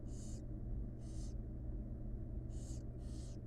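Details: Nest-box barn owl chicks, wild, hissing for food as the mother feeds them; four rasping bursts, two early and two late with a quiet gap between, against a low continuous hum.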